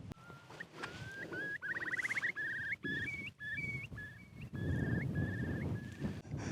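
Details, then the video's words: While wild camping in windy conditions, a Eurasian curlew gives a run of rising whistled notes that breaks into a fast bubbling trill and then slows again, interrupting speech, with low wind rumble underneath. "Lovely to hear a curlew"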